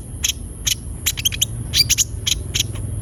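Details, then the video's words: Javan white-eye in lively song meant to stimulate untrained birds; crisp high chips spaced about every half second, a quick cluster of notes and a brief thin whistle, with a steady background whine. "Pancingan suara burung konin gacor |002| ampuh untuk konin bahan agar cepat bunyi"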